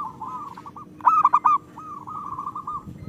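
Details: Brief burst of local zebra dove song: soft rapid cooing notes, a louder clipped cluster in the middle, then another quick rolling run.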